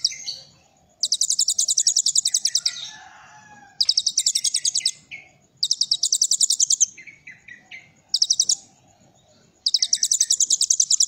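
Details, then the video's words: Kolibri ninja song with cililin filler: five bursts of fast, high, metallic trilled notes, each lasting one to two seconds, separated by short pauses with quieter lower twittering. "Kolibri Ninja Isian Cililin"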